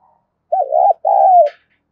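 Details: Spotted dove giving its stimulating call to other doves: a wavering coo then a long, gently falling coo, followed by a brief faint click at the end.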